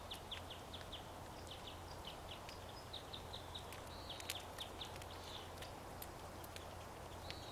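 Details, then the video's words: Crossbills feeding among other birds: a steady series of short, clipped chip notes at a middling-high pitch, a few per second throughout, with faint clicks and a constant low background hum. "Crossbill's Cracklin'"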